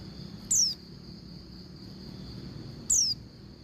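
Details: Oriental white-eye female calling to a male: two sharp, high descending whistles about two and a half seconds apart, with a constant high-pitched tone running underneath throughout.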